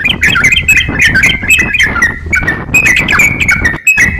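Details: Lively crocok-cokan song used as training material for other songbirds: quick strings of bright whistled notes sliding downward, grouped in short bursts, with a brief pause near the end.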